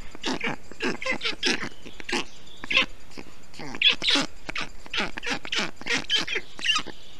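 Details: Black stork nestlings in Estonia, 20 June 2021, calling in a different way after the male cooled the hot nest with water, moss and wet grass; quick series of harsh grating, wheezy bursts, closely spaced and overlapping.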